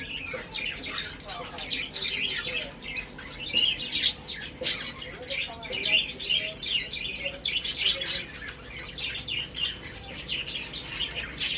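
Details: Pet budgerigars in their newly decorated cage, chattering steadily in high, scratchy chirps and warbles that overlap one another.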